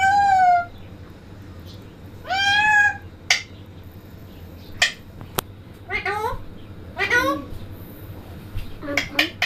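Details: Talking parrot: wavering, harmonic drawn-out notes, some rising then falling, mixed with sharp clicks and short broken voiced phrases, all irregularly spaced in a quiet indoor room.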